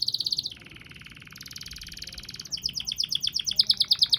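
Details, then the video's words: Canary (kenari) in long-duration song: a quick high trill, a sustained rattling buzzy roll held for about two seconds, then rapid repeated sharp chirps growing louder; faint low background hum. "KICAU KENARI DURASI PANJANG"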